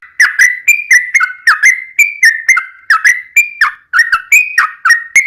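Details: Yellow-vented bulbul in full long rapid song, used to lure other bulbuls to respond: a steady run of clear whistled notes alternating slightly higher and lower pitches, each note quickly followed by the next, with no other sounds.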